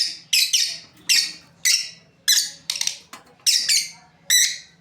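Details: Pair of breeding lovebirds calling with sharp, grating high chirps, roughly eight bursts in under five seconds at an irregular pace, each note fading quickly, over a quiet low hum.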